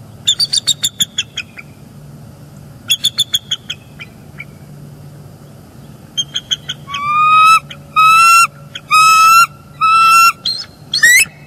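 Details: On a Northeast Florida nest cam, bald eagle mates exchange early-morning vocals before the male relieves the female from incubating eggs; quick staccato chitter bursts give way to a string of long, level whistled notes about one per second.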